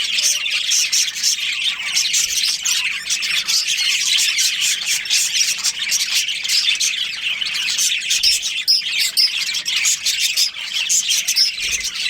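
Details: Budgies in a breeding colony keeping up long, continuous high-pitched chatter, a mix of squawks, twitters and whistles from many birds, occasional low thumps in the background.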